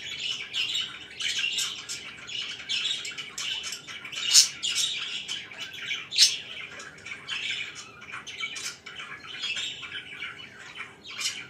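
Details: Budgerigars kept as pets chatter in the morning, steady scratchy warbling punctuated by a few sharp, louder chirps and squawks.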